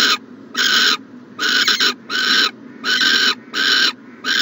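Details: Nest-box owl, morning of 14 January 2020: steady run of harsh breathy hisses, each roughly half a second long, about eighty a minute, with brief silences between.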